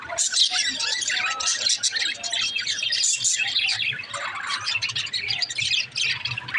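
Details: Budgerigar chirping: loud, dense high warbling and squeaky chirps that run without a break, with a quiet low hum in the background.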